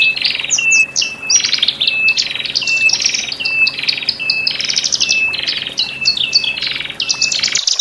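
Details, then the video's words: Male and female Horsfield's bush lark singing, a recording used to help birds newly separated from the flock relax in a cage: a dense, varied high medley of quick chirps, slurred notes and short flat whistles, with a steady low hum behind. "Pancingan Branjangan Jantan Dan Betina"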